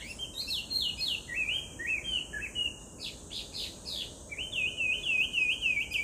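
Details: Chinese hwamei song in Japan: loud, varied whistled phrases, rich slurred notes and quick repeated downward-sweeping figures, rising and falling through a continuous six-second run, with a steady high insect-like hiss in the background.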